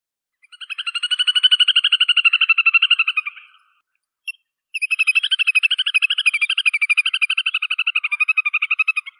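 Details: Little Grebe uttering two long, high, rapidly pulsed whinnying trills, the first rising in loudness then tailing off, the second steady and sustained, with a short gap between them.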